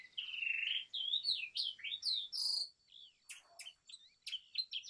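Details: Brown rock chat singing sliding, looping whistles in close succession, then sharper clipped chirps, over a slight low background rumble.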